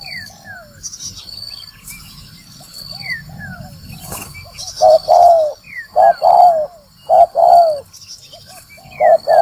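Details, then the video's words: Spotted dove call used as a trapping lure; faint distant coos and high whistles at first, then from about five seconds loud repeated coo phrases with a falling final note. "Tiếng chim cu gáy mồi kích bổi đá lụp"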